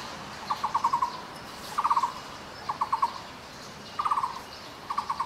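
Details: Taiwan barbet, a bird found only in Taiwan in woods from plains to middle altitudes, repeating fast, low, hollow note bursts, each of four to six notes, roughly one burst per second.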